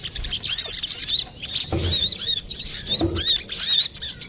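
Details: Brown-throated sunbird singing energetically for a bird-lure recording: high, slurred chirps in bursts about a second long with short gaps, and two soft low thuds in the background.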